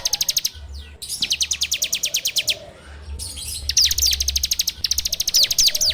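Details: Bar-winged prinia (ciblek) delivering dense 'ngebren' song, recorded with an Android phone as a lure to train birds: long, fast trills of crisp, repeated notes, with short pauses between runs and a low hum beneath.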